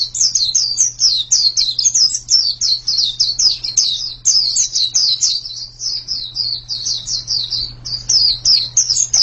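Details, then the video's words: White-eye singing a long, rapid string of high, thin descending whistled notes, about four per second, almost without pause; a steady low hum runs underneath. "Ini pasti pleci yang sangat super itu kicaunya"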